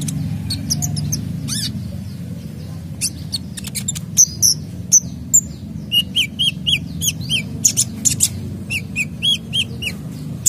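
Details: High-spirited kolibri dacok sunbird delivering full 'isian' song meant to trigger other birds' singing: sharp high chirps, a brief rapid trill, then a run of repeated slurred whistled notes, over low background hum.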